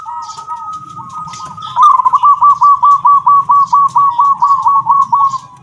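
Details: Zebra dove of local stock singing in the kung style: soft looping opening notes, then a loud, fast run of crisp repeated coos, evenly spaced, ending as a high thin tone and low rumble persist.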